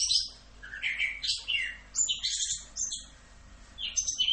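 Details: Orange-headed thrush in a 'full Rock'n Roll' tutor-song recording: rapid, varied whistled and buzzy phrases, some sliding down, others sharp high notes, separated by short pauses, with no other sounds.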